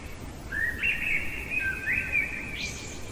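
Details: In the heart of the night a common blackbird delivers one continuous mellow warbling phrase of linked whistled notes, closing with a brief high squeaky flourish; faint steady hiss behind.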